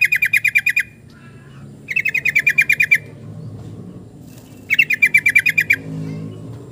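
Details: Yellow-vented bulbul calling: three bursts of rapid, harsh, chattering notes, about ten per second and each lasting under a second, spaced by short pauses over a low background rumble.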